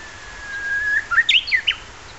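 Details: Japanese bush warbler near Kairakuen's south gate: a long, level whistle that rises gently, followed by a bright run of four or five quick, looping whistled notes, the last one dropping sharply; the background is quiet.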